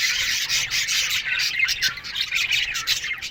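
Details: Morning chatter of budgerigars in an aviary: harsh squawks and rapid chirps packed tightly together, a constant busy flock noise.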